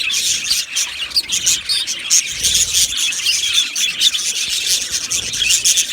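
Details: Australian budgerigars in an aviary colony, many birds chirping at once: a dense, continuous wash of high twittering and scratchy chatter with no pauses, flickering rapidly in loudness.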